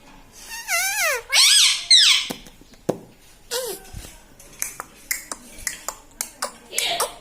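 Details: Pet parrot mimicking words like "mitthu" and "mummy" indoors: a descending nasal phrase, a harsher squawked phrase, one shorter squeak, then a run of sharp clicks and ticks.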